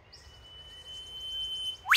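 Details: Eastern whipbird calling from directly overhead beside Wattle Creek near Avonsleigh, Victoria: a long, steady whistled note held for almost two seconds, then a sudden loud, sharp upward whip-like sweep at the end, with faint high chirps from other birds behind.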